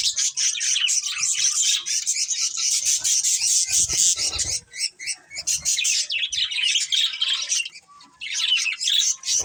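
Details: A group of colourful budgies keeps up a rapid, dense, high twittering chatter, nearly unbroken, dipping in volume only a few times.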